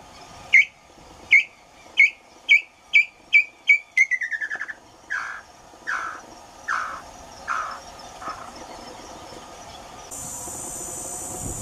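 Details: Tataupa Tinamou singing: clear whistled notes that speed up into a rapid run, then shift to lower, slurred descending notes spaced further apart, ending quietly with a faint hiss in the background.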